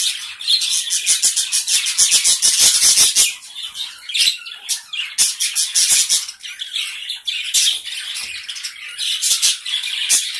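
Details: Small gray Java sparrow colony chattering nonstop: a fast rattling run of clicks and chirps over the first three seconds, then looser squeaky calls and scattered taps.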